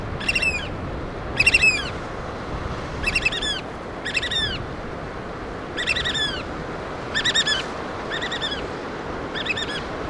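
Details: Black oystercatchers, adults feeding their chicks on the Washington coast of the Pacific Northwest, give sharp, ringing piping notes in clustered bursts roughly every second, over a constant background rush of surf.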